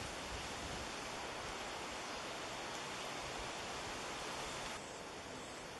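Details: Steady, hissing broadband noise like wind or rushing water continues throughout without any animal sound.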